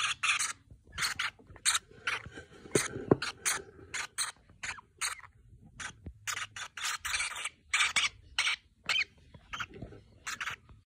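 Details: Lovebirds (Agapornis of mauve, roseicollis and yellow sable mutations) give shrill, scratchy chirps in quick irregular bursts, several each second, overlapping as a busy chatter with little else behind them.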